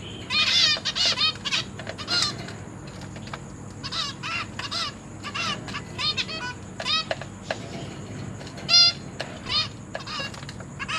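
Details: Captive zebra finch family with parents feeding juvenile and newborn chicks, 29 September 2023: many short nasal beeping calls, a busy cluster at the start, then irregular single calls over a steady high whine.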